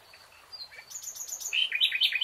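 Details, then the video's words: Nightingale singing in a lush green forest: a varied phrase of thin high whistles and short notes that builds into louder, rapidly repeated sharp chirps, rising in volume toward the end. "Relaxing NIGHTINGALE song"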